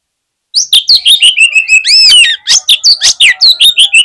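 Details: Fighter Oriental magpie-robin at a song contest, said to make rival birds respond fast, pouring out loud, rapid, ringing notes about three per second, with arched whistles and a sustained, rich warbled stretch in the middle.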